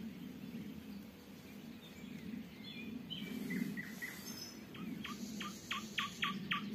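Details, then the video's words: One of three nightingales answering each other within a small area at sunset on a windless early-June evening in 2023, Volga region, rural Russia: a few mid-pitched whistled notes, then a row of six sharp sweeping notes repeated quickly. A steady low rural hum underneath. "СОЛОВЬИНЫЕ ТРЕЛИ"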